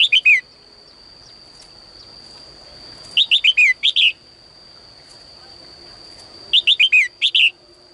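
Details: Female bird in a cage singing at morning to draw more song from males: three phrases of rapid descending chirps about three seconds apart, some phrases ending in a brief extra note, with a steady thin whine throughout.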